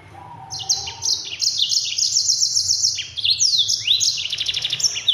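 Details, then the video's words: Continuous energetic song from a Yellow-fronted canary meant for training other birds: long rolling trills of high, rapidly repeated notes, stepping down and up again, with a sweeping phrase midway and a faint low tone at the start. "Mozambik Gacor Speed Rapat NGEROL PEDAS untuk masteran!"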